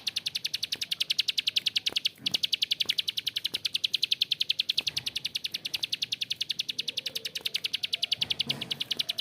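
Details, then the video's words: Continuous rough ngebren from a bar-winged prinia: a sustained stream of sharp, high clicking notes, several per second, holding an even pace throughout. "PRENJAK KLIK GACOR ‼️Ngebren Panjang suara kasar"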